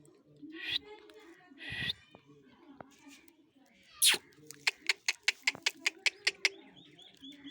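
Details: An angry, biting Indian ringneck parakeet kept as a pet gives two rasping screeches, then a loud harsh squawk, followed by a quick series of sharp ticking clicks.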